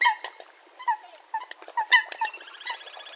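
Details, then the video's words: Eurasian coot calling in quick, nasal, slightly squeaky notes, several bursts in a few seconds, some overlapping, trailing into softer chatter. "Eurasian Coot (Fulica atra) Real Hunting Call Sound"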